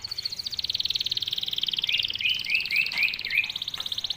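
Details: Canary singing in tight rapid bursts as a lure for young canaries to start singing; a long, even, buzzy trill runs throughout, with a few rising chirped notes slipping in partway through.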